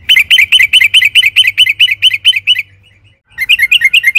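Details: Yellow-vented bulbul in a fast rolling song that lures other birds to sing: an unbroken run of loud repeated notes for over two seconds, a short gap, then a quicker twittering phrase.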